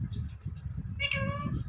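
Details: Indian ringneck parrot kept as a talking bird: a single steady, nasal, harmonic meow-like utterance in the second half, over a constant low hum and mumbling background.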